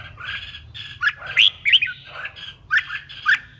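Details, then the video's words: Red-whiskered bulbul song, used to provoke other bulbuls into singing: short, squawky, warbling phrases with bright upslurred notes, given in bursts about every half second, over a faint low hum. "GIỌNG CHÀO MÀO HÓT _ KÍCH CHÀO MÀO HÓT"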